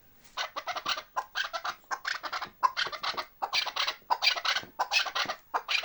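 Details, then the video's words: Harsh, scratchy chuk calls of chukar partridges in Bartang, Pamir, about 87 per minute in uneven clusters. A brief quiet start gives way to steady repeated calling. "Кабки Бартанги Помир"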